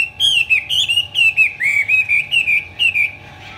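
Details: Chinese hwamei performing the 'hót xòe' song with eagle-wing display: clear, ringing whistled phrases that dip and rise, in short bursts about twice per second, with a steady low hum in the background.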